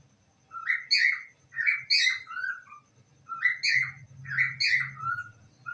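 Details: Parrot at home saying "I love you" in a few hoarse, squawky repetitions, with a low hum of room noise in the background.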